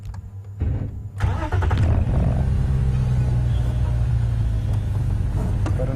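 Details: A vehicle engine starts and settles into a low, steady rumble, with no animal voice heard.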